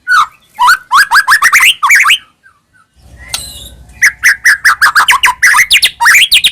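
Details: White-rumped shama delivering varied song meant to make caged birds answer: quick rising whistled notes in series, a short gap with low background rumble, then more rapid, repeated slurred whistles.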